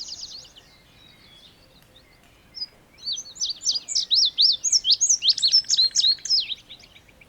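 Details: Indigo bunting giving a rapid song of high, downslurred and upswept notes, mostly in pairs, with a low dotted buzz from another bird partway through and a soft opening trill.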